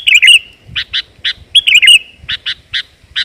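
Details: Sooty-headed bulbul female, calling as a lure for males: a gurgling warbled phrase, then a run of clipped chips, then another warble and more chips.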